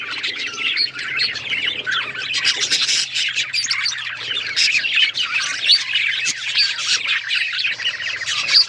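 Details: Several pet budgerigars chirping together: a dense, continuous chatter of high warbling, squawky and scratchy notes with short clicks, steady and busy throughout with no pauses.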